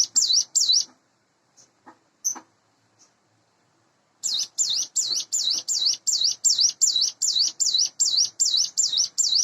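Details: Hand-raised caged sunda bush warbler, about eight months old, singing in the morning: a brisk series of high V-shaped whistled notes about two and a half per second, broken by a pause of roughly three seconds, then resuming.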